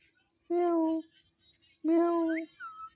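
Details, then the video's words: Captive talking parrot, said to repeat its own name, utters two flat, voice-like, half-second syllables, the second ending in a brief rising whistle and a short falling note. "Mitthu Mitthu Talking Parrot | Cute Parrot Voice Video"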